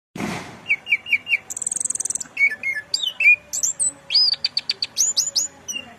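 An orange-headed thrush sings a rich, varied run of clear whistles, quick trills and sharp rising and falling notes, phrases changing every second or so, after a brief thump.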